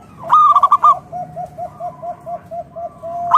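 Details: Zebra dove of local wild stock, a frequent singer, gives one loud quick-pulsed coo phrase, followed by a string of about ten soft, evenly spaced cooing notes from a second dove.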